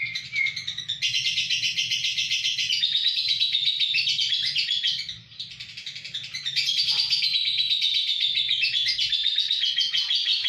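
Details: A lovebird from Kedungadem, Bojonegoro, delivers a long, rapid high-pitched chattering song, shrill and buzzy, dipping briefly in the middle before resuming at full strength, with faint low background noise.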